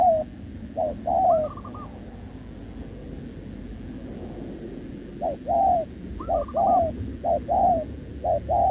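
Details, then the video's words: Wild-caught short-legged spotted dove recorded 6 November 2024, cooing continuously in answer to a decoy bird: short low note then longer falling coo, in bursts, with a higher wavering note and steady background hiss and rumble. "Bổi đồng chân lùn | Bo mình chắc đẹp | gù liền với mồi Đồng TT"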